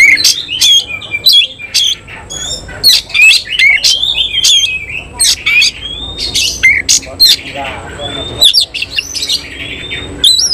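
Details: Tail-spreading Oriental magpie-robin of the semi-Cililin kind, singing hard. Loud, staccato bursts of whistled notes and dry clicks come in rapid clusters, then slur into longer, thinner whistles near the end.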